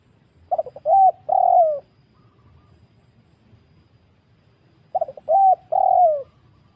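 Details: Wild spotted dove recorded for luring birds: two identical phrases about four seconds apart. Each has a brief stutter, a short coo and a longer hollow coo that fades downward. The background is calm.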